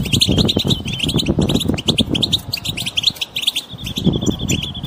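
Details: Several wild European goldfinches twitter together, a group chatter meant to coax a silent goldfinch to sing: rapid bright chirps crowd together, ending in a steady run of short repeated tinkling notes, over low rumbling background noise.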